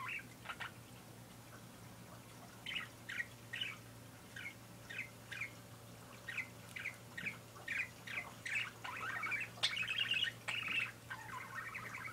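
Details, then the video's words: Pet parakeet giving a run of short chirps about twice a second, building into denser squawky chatter near the end, over a steady low hum. "My Parakeet Making Noise"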